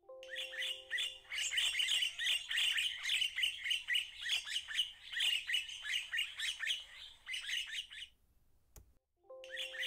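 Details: A dense, busy chatter of many red-winged starlings in a garden in Pretoria in January 2024: overlapping squeaky, slurred notes tumbling rapidly together, with a steady low hum at the start and end.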